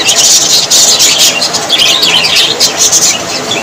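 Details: A short burst of budgerigar chatter, loud high twittering and squeaky whistles packed closely together.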